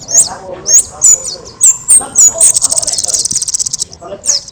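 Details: Very loud, lively singing of an orange-headed thrush kept as a training model for other birds. A series of high, sharply rising whistled notes about every half second, then a fast buzzy rattling trill lasting over a second.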